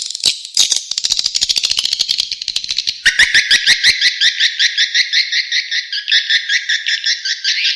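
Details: Edible-nest swiftlet calling sound played outdoors to draw swiftlets: rapid ticking chirps that shift into a steady, buzzy twittering series, repeated about 167 times a minute.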